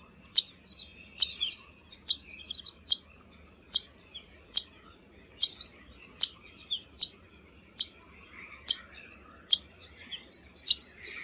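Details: A zitting cisticola's long series of about fourteen sharp, high 'zit' clicks, one roughly every 0.8 seconds. Thin twittering fills the gaps, growing busier toward the end.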